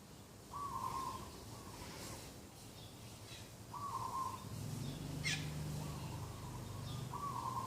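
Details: Dove in a morning garden, 2 October 2021, giving repeated short level coos in pairs, each a rippling tone, with scattered high chirps of other birds, a brief sharp click and a low droning background.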